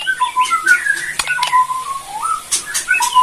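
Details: Borneo white-rumped shama in rattling kretekan song meant to make other shamas reply: a mellow run of whistled notes that slide up and down, with occasional sharp clicks.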